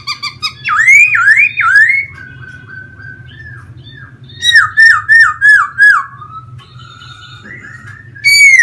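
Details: Pet laughingthrush in a cage in Vietnam, singing while fanning out in a dance. Zigzag whistled phrases repeat rapidly, with a low steady hum of notes between loud bursts, ending on a strong rising whistle.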